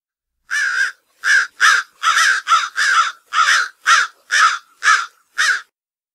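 An American crow gives about eleven harsh, hoarse caws in quick succession, roughly two per second, with a quiet background.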